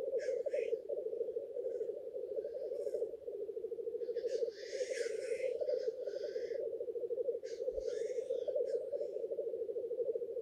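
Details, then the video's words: Courtship display of male black grouse at the lek, with a dense bubbling chorus beneath frequent overlapping rasping hisses, the loudest cluster arriving midway through. "Black grouse lekking behaviour"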